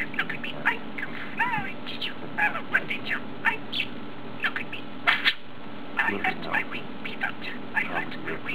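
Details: A male pet budgerigar chatters rapidly, mixing warbled squeaks with garbled, speech-like phrases, apparently talking.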